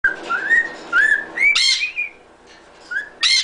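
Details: Pet cockatiel whistling the Happy Birthday tune: clear whistled notes sliding upward phrase by phrase, a brighter rising note, a brief pause, then the melody resuming with a bright final note.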